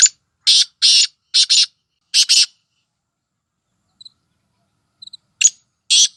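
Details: Calling female black francolin, locally kali madi, whose voice excites males: a rapid run of harsh, grating, paired notes, a pause with faint ticks, then the harsh phrase begins again.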